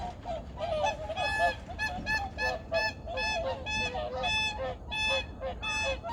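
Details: Migratory birds at Junam Reservoir, Changwon, calling early on a 2019 morning: ringing, clearly pitched honks stand out roughly every half second above a softer background of flock chatter.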